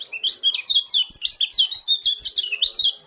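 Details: White-eye from Lombok in the morning, pouring out a continuous rapid warble of high, sharp, slurred chirps that zigzag up and down without pause.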